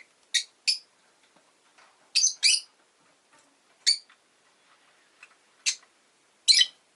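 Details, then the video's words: Rosy-faced lovebird, Agapornis roseicollis, kept as a pet, giving short sharp high chirps, singly and in quick pairs, spaced irregularly over several seconds, with faint quiet clicks between. "Lovebird Chirping Sounds"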